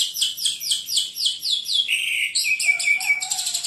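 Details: A white-rumped shama in fierce, vigorous song pours out rapid high notes, repeated several times a second, with sweeping slurs and a quick shift to a higher, chattering trill, over a faint low tone near the end.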